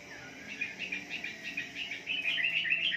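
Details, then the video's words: Morning therapy lure of wambi song for caged birds: quick, evenly repeated high chirped notes, about three or four each second, growing louder and denser toward the end. "Pancingan Terapi di Pagi Hari agar Wambi Kalian Ngalas"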